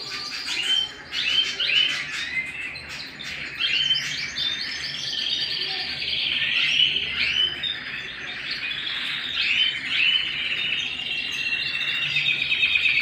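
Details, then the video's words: Indoor canary chorus, long run of varied song: rapid chip series, upward-slurred whistles and buzzy trills, swelling and dipping in loudness, voices overlapping throughout. "canary singing at home"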